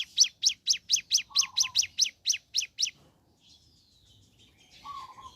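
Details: Morning ciblek gunung gives a dozen loud, high, downslurred chips in quick succession, followed by quiet faint notes and a short low warble.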